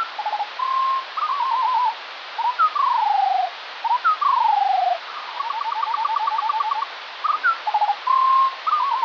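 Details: Morning skylark song at quarter speed, maybe from more than one bird: low, slow phrases of steady trills, smooth falling whistles and level tones, sounding almost synthesized.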